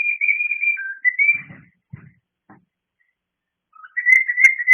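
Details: A cockatiel gives loud, clear whistled contact calls to get attention, with a few soft low thumps between.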